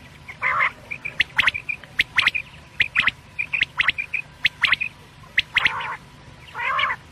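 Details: Quail calls meant for night use, from Pakistan: irregular bursts of short high chirping notes about 75 per minute, interspersed with harsh, nasal, squawk-like notes, over a low steady background hum.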